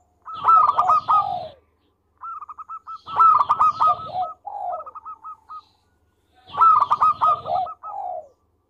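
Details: Local zebra dove singing vigorously, recorded as a master tutor: three loud phrases, each a run of rapid clipped coos trailing into a falling warbled note, spaced about three seconds apart.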